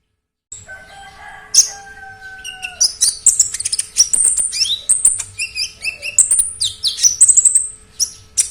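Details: Oriental magpie-robin singing loudly with a rich medley: two long level whistles at the start, then dense bursts of high chirps, trills, clicks and slurred whistled notes running continuously for several seconds.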